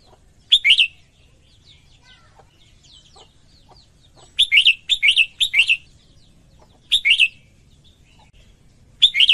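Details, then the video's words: A female red-whiskered bulbul sings to excite males. Short chirpy warbled phrases are repeated at irregular intervals, with a quick burst of several in a row midway. Soft scattered chirps and a low background hum are also heard. "Chào Mào Mái Hót Kích Trống Căng Lửa"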